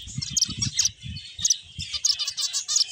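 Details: A flock of finches gives rapid high chirps and sharp tweets in uneven bursts over a steady twittering background, with soft low thumps and rustles below.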